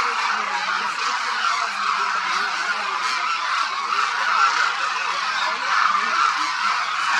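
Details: Thousands of Demoiselle Cranes in a vast flock feeding and moving at Khichan Bird Sanctuary, Khichan village, Phalodi, Jodhpur district, Rajasthan, India, in winter; a dense, constant chorus of overlapping trumpeting, honking calls fills the air without pause.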